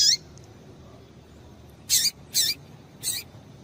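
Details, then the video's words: Calling female Double-collared seedeater, a call meant to stimulate males: after a long quiet gap, three short, high, sharp notes with falling tails, roughly half a second apart. "Piado de Fêmea de Coleiro Para Esquentar Coleiro"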